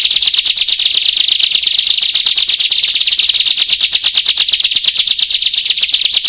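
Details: A Bar-winged prinia, at first taken for an ordinary one, calls and then others join in. It gives a loud, high, buzzy trill of rapid chips, about eight a second, held without a break.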